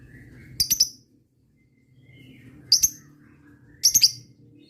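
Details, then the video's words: Lovebird giving ngetik chirps to call rivals: three short bursts of two or three sharp, very high ticks, spaced well apart, over a soft low room hum. "suara burung lovebird ngetik ngekek"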